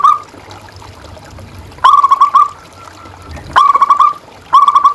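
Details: Lure song of a local zebra dove, meant to provoke and train caged birds: three short bursts of rapid rolling coos separated by quiet pauses, over faint low rumble.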